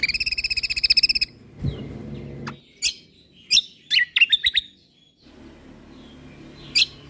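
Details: Songbird training recording of a Lombok white-eye (kecial kombok) in full, lively song: opens with a rapid pulsed buzzy trill lasting over a second, followed by clustered sharp, slurred high chirps and a final lone chip over low background hum.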